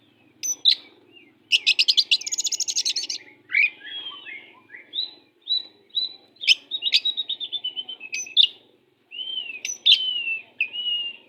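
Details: Spirited oriental magpie-robin, a tutor recording to make listless birds sing harder: rapid rattling chatter, buzzy trills, rich descending and rising whistles and repeated sharp notes in an almost unbroken stream.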